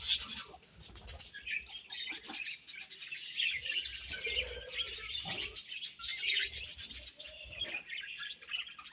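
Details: Continuous high twittering and scratchy warbles from a budgerigar colony, many birds chirping at once with small low knocks beneath.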